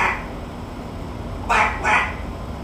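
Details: Captive talking macaw gives two short, harsh, nasal squawks about half a second apart, resembling a duck's quack. A fainter squawk opens the recording, with low room hum throughout.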